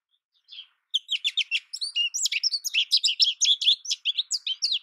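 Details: American goldfinch singing a rapid, jumbled run of high twittering notes and short warbled slurs after one brief opening note, the phrases tumbling together almost without pause in an otherwise quiet setting.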